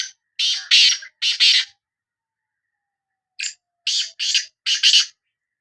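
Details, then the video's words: Black francolin of the Sindhi kind, the kala teetar, giving its call: two quick phrases of loud, rasping, buzzy syllables, four to five in each, with a short silent gap between the phrases. "Kala Teetar Voice | Black Frankoline Voice کالا تیتر کی آواز"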